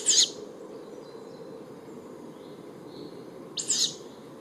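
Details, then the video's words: Juvenile tawny owl giving two short, hissing, screechy calls about three and a half seconds apart, each lasting under half a second, over a steady low background rumble. "canto di un allocco giovane - Juvenile Tawny Owl call"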